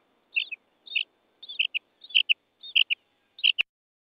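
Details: Common quail (bater) giving sharp, high clipped notes in pairs and triplets, about six bursts roughly every half second, ending with a single loud click.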